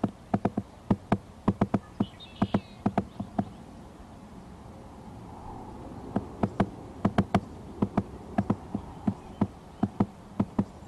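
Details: Woodpecker loudly hammering on a nest tree near the microphone by a pond, recorded 7 April. Sharp, irregular wooden knocks come in quick bursts, with a pause midway before the tapping resumes. A faint high call and steady background hiss sit beneath.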